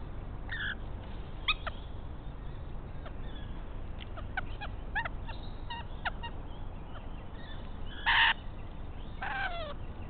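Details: Raiding a pied currawong nest before any eggs or chicks, a chatty pair of rainbow lorikeets gives rapid ticking chatter and short squeaks, then one loud, harsh screech and a rasping call to finish.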